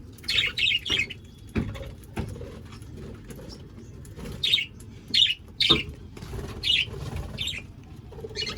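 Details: From an aviary holding 25 pairs of budgerigars come scattered bright, high chirps in quick bunches of two or three, with pauses, over steady low background rumble and occasional knocks.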